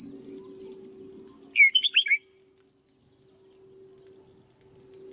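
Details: Red-whiskered bulbul kept for training, a brisk phrase of five fluty, slurred whistles after faint high chirps, over a constant low hum.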